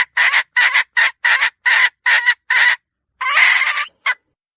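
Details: Hen giving a harsh, loud cackle: seven short, evenly spaced squawks about half a second apart, then a pause and one longer drawn-out squawk followed by a final clipped note.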